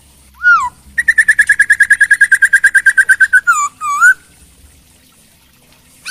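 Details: Chinese hwamei giving a falling whistle, then a rapid even series of around twenty-five ringing whistled notes, closing with two swooping slurred whistles and a brief quiet spell before another note begins.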